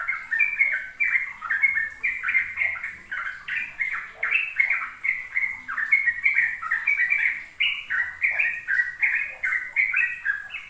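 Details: Sooty-headed bulbul singing in the rapid ropel style, used as a lure to teach young birds: a dense, nonstop run of bubbly warbled notes, rising and falling quickly over about ten seconds.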